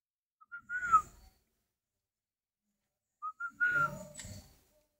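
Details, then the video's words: Captive spotted dove, described as a good brooder and kept as breeding stock: two short soft notes, then a longer slurred cooing note, with the phrase repeated after about three seconds; faint clicks and handling noise follow each phrase. "chim cu gáy hay ấp"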